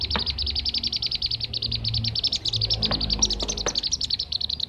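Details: Blue-tailed bee-eater lure sound: rapid, evenly pitched high chirps repeat steadily, several a second, over soft low background hum.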